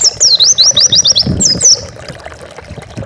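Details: Short burst of Oriental white-eye song from a training recording for pet birds, a fast high twittering run of wavering notes that trails off into soft background noise.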